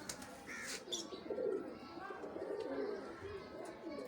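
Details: Pair of domestic pigeons giving low, throaty rolling coos that swell and fade over about a second each, with brief higher chirps early on.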